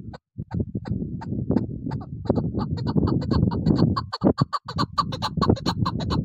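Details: Female chukar partridge calling: a rapid series of short clucking chuck notes, a few per second, harsh and repeated, with a low muffled rumble throughout.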